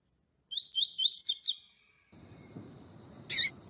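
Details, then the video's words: Seedeater tutor song in tui tui style from a double-collared seedeater: a fast run of five upswept whistled notes, followed by low rumbling noise and a sharp burst. "COLEIRO TUI TUI PARA ESQUENTAR COLEIRO, MELHOR TUI TUI PARA MESTRE PAPA CAPIM"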